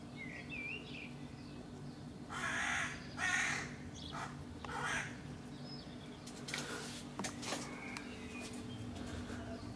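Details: Juvenile crows perched in a neighbouring tree among houses, uttering rasping, broad-toned cries in a quick pair, then scattered harsher calls and a burst of noisy rustling, with a constant low hum behind.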